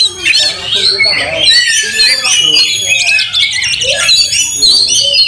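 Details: Oriental magpie-robin singing aggressively while fighting, tail spread, stirring up other magpie-robins: a loud, unbroken stream of squeaky whistles, harsh chatter and short rising notes, restless and varied throughout.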